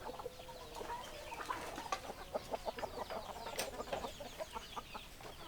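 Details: Several hens cluck busily in short, clipped notes repeated many times a second, a dense overlapping chatter with one sharper squawk near the middle.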